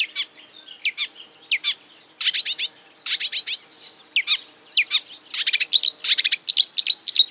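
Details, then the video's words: Mimicking marsh warbler singing short, varied phrases of high whistles and rising notes, broken by dense bursts of rapid chatter, with brief gaps between the bursts. "A marsh warbler (Acrocephalus palustris) imitating other birds"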